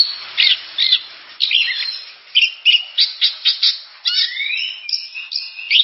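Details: Oriental magpie-robin singing lively series of loud, short whistled notes, several repeated in a quick rhythm mid-phrase, mixed with scratchy chatter and long rising whistles near the close.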